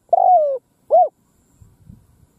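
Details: Decoy spotted dove calling in an open field to lure wild doves: a long, slightly falling mellow coo followed by a short arched coo, then quiet with faint low rustling.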